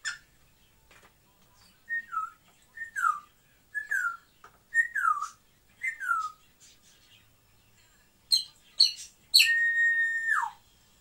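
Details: Indoor pet African grey parrot giving paired whistles that fall sharply in pitch, repeated about once a second, followed by bright chirps and a long steady whistle ending in a downward glide.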